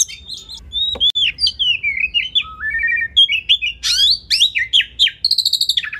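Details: Kacer, the Oriental magpie-robin, in masteran song for tutoring competition birds: varied clear whistles, falling slurred notes and buzzy bursts, ending with a fast stuttering series of high ticks.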